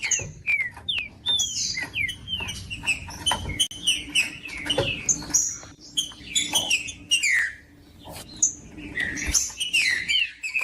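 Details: Green-winged saltator singing, played to warm up a cold caged bird for breeders' tournaments; dense run of loud slurred whistled notes, many falling, with sharp clicks and a low rumble underneath.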